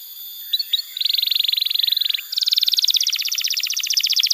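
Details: Canary song meant to tutor young canaries and restart birds that have stopped singing: two short whistled notes, then a long steady rapid trill, switching to a faster, higher rattling trill of repeated notes.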